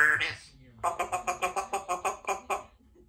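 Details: Talkative female Congo African grey parrot, a pet in a country home, giving a short vocal sound then about ten evenly spaced, repeated voice-like syllables in a quick, steady rhythm indoors.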